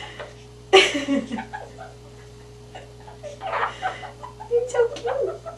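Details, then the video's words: A male pet monk (Quaker) parakeet talks and sings while hidden in his owner's hair. He gives one sharp, harsh squawk, then a run of speech-like chatter over a low electrical hum. "Quaker Parrot Talks and Sings"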